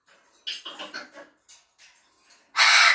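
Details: Pet grey parrot indoors making a series of harsh chattering, speech-like sounds, ending in a loud, broad, rasping squawk.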